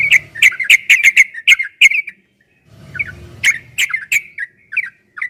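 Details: Trucukan (yellow-vented bulbul) in fast 'ropel' song: a quick burst of loud clicking, bubbly notes, a short silence, then scattered warbled phrases, over a low background hum.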